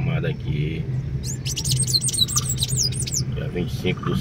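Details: Sayaca tanager on 25 May 2024 giving a dense run of high, squeaky, sweeping chirps lasting about two seconds, with brief human speech at the start and end and a low hum beneath.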